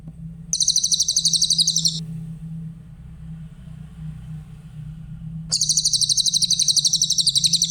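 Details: Grey-headed canary-flycatcher song used as a tutor recording for other songbirds: two bursts of very high, rapid, clear trilled notes, repeated about four times a second, separated by a pause, over a steady low hum.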